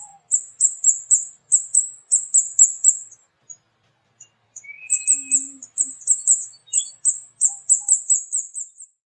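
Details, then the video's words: Small flowerpecker, found in village areas with many mango trees, calling loudly: a very high, thin 'cit cit' series of sharp ticking notes repeated about four per second in two bursts, with a brief lower whistle between. "Burung Kemade Gacor Cit Cit"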